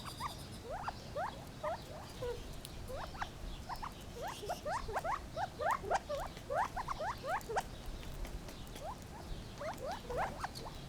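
Gambel's quail give a steady chatter of short, rising, chirpy notes from several birds at once, overlapping many times a second over a low background rumble.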